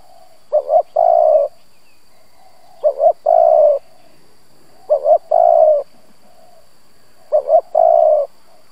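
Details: Spotted dove used as a lure to provoke rivals, cooing steadily: four phrases of a short doubled note and a long sustained coo, evenly repeated about every two and a half seconds in a quiet setting.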